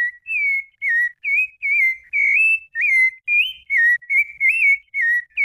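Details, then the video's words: Rufous-bellied thrush giving its Brumado fluted song: a rapid series of pure whistled notes, about two per second, some bending upward and others dipping, forming a continuous melodic phrase. "SABIÁ LARANJEIRA BRUMADO CANTO FLAUTEADO"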